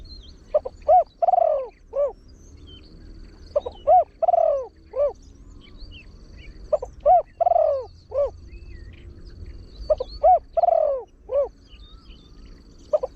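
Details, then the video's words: Spotted dove, a trained bird with a big voice, sings the fast 'khan yon 1 kuk' style meant to bring in wild birds. Three phrases come roughly every four seconds, each with clipped notes, a long falling coo and a closing hoot. Faint chirps sound behind. "เสียงนกเขาใหญ่ 3 (เสียงใหญ่) ขันโยน 1 กุ๊ก ขันถี่ นกป่าเข้าร่วมเร็ว"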